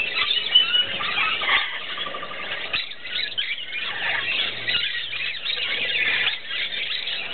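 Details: Rainbow lorikeets with musk lorikeets bathing together at an early-morning gathering; a dense, continuous chorus of shrill, screechy squeals and chatter from many birds at once, with a faint low hum underneath.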